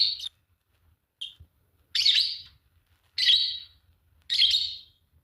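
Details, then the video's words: A pair of green Fischer's lovebirds singing and chirping: two brief shrill chirps, then three longer harsh, buzzy chirps spaced about a second apart, with silence between. "Lovebird singing and chirping sound, green fischer pair"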